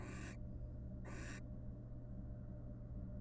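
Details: Wild barn owls courting in a nest box, preening each other's feathers; two short harsh hissing screeches close together, then quiet with a constant low hum.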